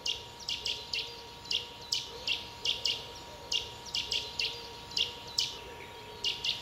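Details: In the Dresdner Heide near Dresden, three fledged Boreal owl young confirm breeding; harsh, breathy hissing notes come in quick pairs and triplets throughout, fairly regular, with a faint constant hum beneath.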